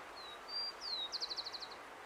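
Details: Close rufous-collared sparrow song recorded in an urban area of Uruguay: a thin level whistle, a higher whistle, a downslurred whistle, then a trill of about eight quick notes, over soft background noise.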